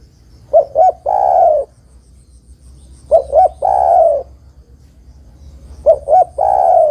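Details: Female spotted dove calling to the male. She gives a low, hollow coo phrase: two short notes, then a longer drawn-out coo. The phrase repeats three times, roughly every two and a half seconds, over faint low background hum.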